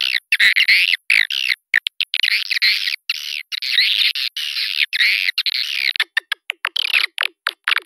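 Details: Swiftlet calling sound used as a lure to attract swiftlets to a bird house: dense bursts of buzzy, twittering chirps sweeping up and down, almost continuous, then a run of short separate clicky notes near the end.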